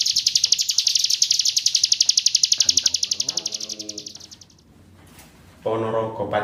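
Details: Hill prinia (Prinia superciliaris), song.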